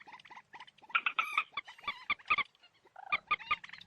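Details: Moorhen giving quick bursts of short, harsh, clucking notes with a nasal ring, run together in chattering series with brief pauses between groups; no other clear sounds.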